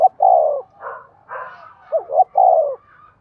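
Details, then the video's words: Spotted dove, 'giọng đồng' voice, sounded as a lure for 'giọng thổ' birds: a long rolling coo, a rustle, then a quick double hoot and another purring coo. "Cu gáy giọng đồng dùng dụ và kích chim giọng thổ hiệu quả"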